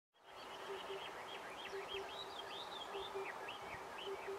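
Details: Oriental cuckoo in May 2020, also catching insects, gives low, hollow doubled hoots, po-po, about once a second beneath a brighter warbling song from another bird, with steady background hiss.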